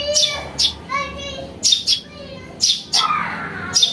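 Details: House sparrow chick calling, a lure recording: loud, scratchy, high chirps roughly every half second to a second, mixed with softer sustained tonal notes, possibly other birds or voices, behind them.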